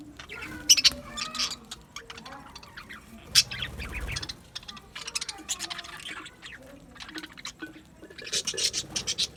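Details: Budgie flock chirping: scattered bright, sharp chips and squawky notes over soft, murmuring chatter, with bursts of rapid high twittering toward the end.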